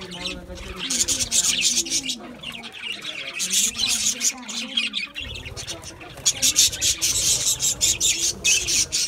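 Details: Several budgerigars eating a seed mix give dense, buzzy, scratchy chattering and rapid chirps in uneven bursts throughout, briefly thinning near the middle, over a faint low hum.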